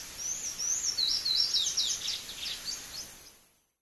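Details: Sayaca tanager fledgling that fell from the nest giving rapid, high, squeaky chirps in quick overlapping runs, loudest at the start and middle, then thinning out before fading to silence; faint hiss behind.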